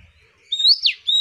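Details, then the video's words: Pleci (white-eye), a female's call used to provoke males into answering: a thin, high whistled note held steady, then a brief sliding dip, then another steady whistle, all sharp and clean with a quiet background. "pleci manggil lawan bikin lawan emosi"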